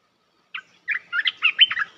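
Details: Olive-winged bulbul giving a luring call for bird trapping: one clear chip, then a fast, bubbling string of warbled notes that wander up and down, delivered loudly with no other sounds.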